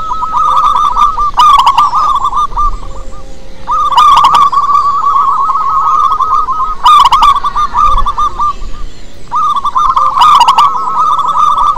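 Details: Loud-voiced local zebra dove used as a lure to set other doves calling: extended rapid cooing trills in several long phrases separated by short pauses, with recurring sharp clicks cutting through.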